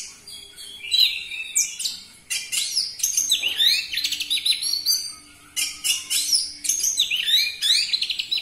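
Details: Orange-headed thrush singing continuously and loudly to prompt other caged birds: dense, varied high warbling with swooping whistles and quick trills, barely pausing, over a faint low steady tone.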